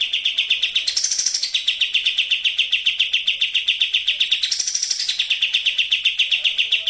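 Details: Racing-style sooty-headed bulbul song played as a lure to get other birds singing: a quick, steady chatter of clipped notes at a constant pitch, jumping twice to a higher, shriller phrase, recorded cleanly.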